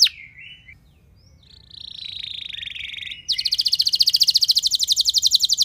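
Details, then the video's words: Canary lure song meant to set other canaries singing: a faint wavering phrase and a buzzy, quieter passage, then from mid-clip a loud, very fast high trill of evenly repeated notes. "Langsung Respon Burung Kenari Kondisi Apa Saja Dengan Pancingan Kenari Nembak Panjang Keras Ini"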